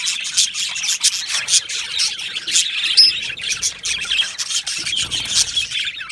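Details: Colony of Australian budgies in an aviary chirping together: a dense, continuous chatter of high, short twittering notes and warbles with overlapping birds and no pauses.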